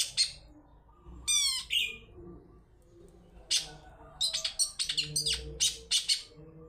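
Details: Long-tailed shrike (cendet) lure song for prompting other birds: a few sharp notes and a rising whistled phrase, a pause, then a quick run of scratchy chattering notes.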